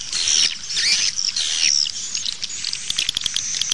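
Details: Swiftlet lure call played outdoors to attract birds: high, thin chirps with short sweeping notes, then a run of rapid dry clicks; no other sounds stand out. Finding: swiftlet.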